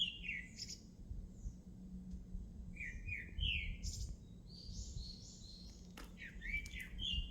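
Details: A songbird gives varied phrases of slurred, rising and falling whistles mixed with higher twittering notes, sung almost continuously over low background noise.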